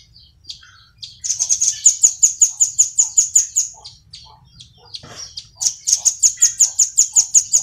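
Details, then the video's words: Velvet-fronted nuthatch (rambatan paruh merah) training song for kept birds: a long run of rapid, piercing high notes lasting about three seconds, a short break with scattered chirps and a faint knock, then another quick ringing trill. "MASTERAN BURUNG RAMBATAN PARUH MERAH PALING AMPUH"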